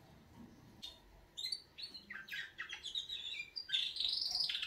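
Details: Wake-up song of canaries starting quietly, then building into quick chirps and trills that end in a sustained bright warble.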